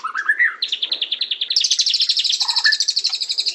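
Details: White-rumped shama song opening with rising whistled notes, then a fast repeated chatter of high notes that steps up in pitch, with a few lower whistles underneath.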